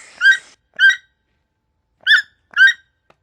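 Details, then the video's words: Toucan calling: four short, harsh, nasal notes rich in overtones, given as two pairs about half a second apart with a pause of over a second between the pairs; otherwise quiet. "Som de tucano"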